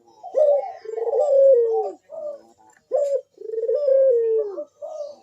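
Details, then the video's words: Barbary dove (puter) cooing repeatedly in the strong bekur manner meant to provoke other doves to call: long falling coos broken by short clipped notes, about two phrases in five seconds. "Burung puter Rajanya bikin gacor‼️suara Bekur besar super tajam manggung merdu mengundang bunyi"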